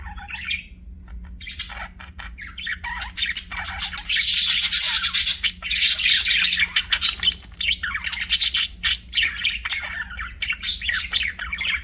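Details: Singing, chirping pet budgies: a long stream of rapid, buzzy, high twittering and squawks, loudest in a dense burst near the start, continuing in choppy phrases above a faint low hum.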